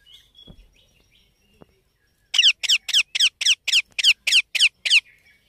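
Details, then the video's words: Baby Indian ringneck parakeet squawking harshly eleven times at a steady pace of roughly four calls per second, after a few soft squeaks and a click. "Cute Baby Parrot Natural Sounds"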